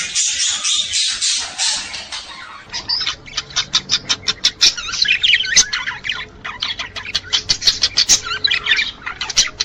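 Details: Male budgerigar song during mating, used to stimulate breeding: a harsh, buzzy burst first, then rapid chattering chirps and squawks repeated about three times a second.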